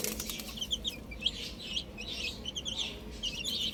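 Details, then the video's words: Chicks outdoors chirping in high short peeps amid rustling, fluttering noise, possibly wings, over a low background hum. "Cute Baby Chicks Chirping Sounds"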